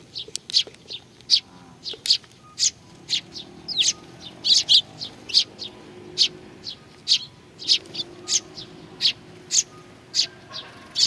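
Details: Sparrows coming to be fed at Tenmangu shrine, Nakanoshima, Japan, on 21 June 2020; short sharp high chirps repeat steadily about twice a second throughout, with a faint steady hum in the background.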